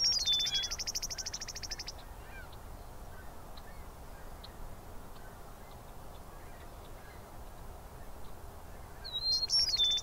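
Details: Eastern meadowlark in Southern Ontario, Canada: a high whistled phrase slurring downward, with a dry buzzy rattle, at the start and again at the end, separated by a long quiet gap of steady low background rumble.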